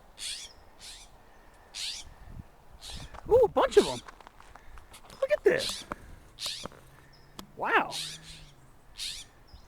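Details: A group of California scrub-jays, with baby birds squeaking nearby, in Rose Canyon oak woodland, University City, San Diego, on a cool overcast May morning (23 May 2023), gives harsh, rasping bursts about once a second, some rising sharply, while a man talks.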